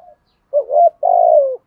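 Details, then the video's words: Decoy spotted dove calling to train a fresh bird, 'giọng thổ' voice: one full mellow coo phrase, a quick rising hoot then a sustained, slightly vibrating falling note, clean and quiet behind it. "cu moi thuc gù bài bản, tiếng chim cu gáy tập bổi"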